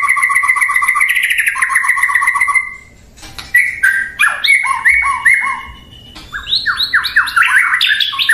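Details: White-rumped shama singing: a rapid two-pitched trill rising slightly, a brief pause, then a run of varied loud descending whistled phrases with sharp slurred notes and a rising burst at the end.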